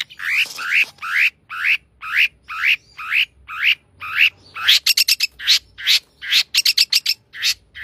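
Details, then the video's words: Long-tailed shrike singing energetically with a rich fill-in song: harsh, rising buzzy notes repeated about twice a second, then rapid clusters of sharp, high, scratchy notes toward the end. "cendet gacor isian mewah"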